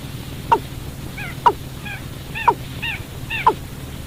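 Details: Watercock sound used to lure birds into traps at night: four sharp falling notes roughly a second apart, alternating with fainter curved, wavering calls, over a constant low drone.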